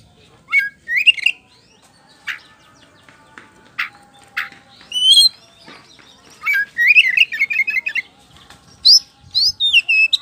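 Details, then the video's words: White-rumped shama song used as a lure to make birds answer: scattered phrases of clear whistles, sharp upswept notes and warbling runs, with short pauses between bursts. "DIJAMIN NYAUT DENGAN PANCINGAN KACER POCI GACOR NGEPLONG INI"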